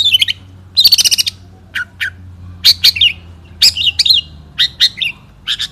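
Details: Long-tailed shrike, a 2016 national champion singing in the one-point style, gives loud high chattering phrases and rapid trills separated by short pauses, with twisting squeaky notes and occasional lower chips.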